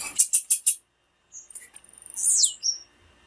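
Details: Female blue-black grassquit calling, used to excite and stimulate male birds to sing: four rapid very high buzzy notes, a pause, then a short stuttering series and a descending high slurred whistle followed by a brief high note.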